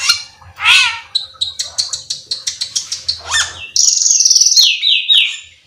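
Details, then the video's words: Black-winged myna song opening with a loud rising whistled squeal, followed by a rapid series of clipped repeated notes, then a long harsh buzzy note breaking into descending stepped whistles. "suara burung cucak keling"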